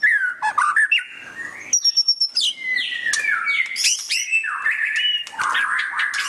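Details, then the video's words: White-rumped shama giving loud ngeriwik chatter for bird training: varied phrases with buzzy sweeping notes, a thin high sustained whistle, and bursts of rapid twittering. "Suara Burung Murai Batu Ngeriwik kenceng"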